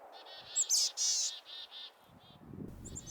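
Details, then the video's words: Boreal chickadee in spring gives a run of short, buzzy, hoarse high notes with a few sharp chips, over faint low rustling, while hungry chickadees feed on seeds to stay warm. "How much I love the sweet call of the boreal chickadee."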